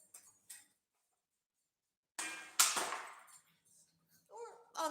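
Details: Sharp metallic clangs and knocks in a small room, separated by silence, with a brief voiced sound near the end.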